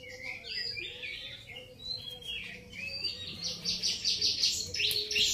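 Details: Grey-cheeked bulbul: a busy run of high chirps and short whistled slurs that speed up into rapid rhythmic bursts in the second half, about two or three notes per second, over a faint steady low hum.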